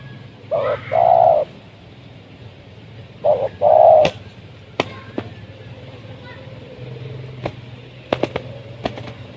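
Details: Spotted doves fighting in the wild in Indonesia. Two low, soft cooing phrases sound, one near the start and another a few seconds later, with scattered sharp clicks and pops amid a quiet background hum.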